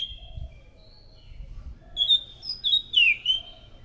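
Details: Thrush song used as a lure, beginning with faint, thin whistles over low background rumble, then a loud cluster of sharp, high whistled notes with swooping, falling slurs.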